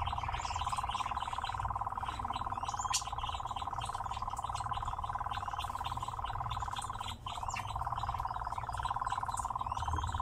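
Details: Caged nightjar singing during a dance display: an unbroken, machine-like churring rattle runs almost the whole time, dipping briefly once, under sparse high chirps.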